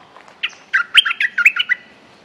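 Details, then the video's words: Streak-eared bulbul pouring out a single quick phrase of about eight bright, rolling chirps, recorded as an active lure song in quiet surroundings. "จ้าวถิ่นเสียงดี เพลงดุๆ Suara pikat merbah lekir gacor"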